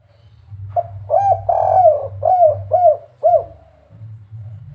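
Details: Spotted dove with the kuk 3 song style, from Semarang: a phrase of about six low, rounded coos, a long swelling note in the middle, then short arched notes falling away, over a steady low hum.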